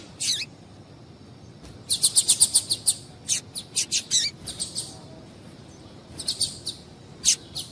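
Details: Female double-collared seedeater, whose calls are meant to get males singing, giving bursts of rapid high chips, a quick run of six near the middle, then scattered single and paired notes against faint background hiss.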